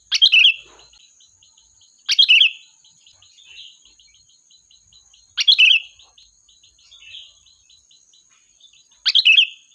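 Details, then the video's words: Sooty-headed bulbul singing as a lure to call the flock: four loud bursts of chattering notes with whistled tails, spaced roughly two to three seconds apart, softer echoing notes between them, over a constant high hum. "Suara Burung Kutilang Gacor, Pikat handal memanggil kawanan"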